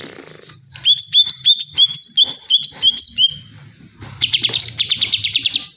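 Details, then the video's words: Greater green leafbird delivering a series of evenly repeated, hooked whistled notes, a quiet gap, then a fast buzzy chattering trill, with a soft low hum underneath. "Cucak ijo bikin pedes kuping"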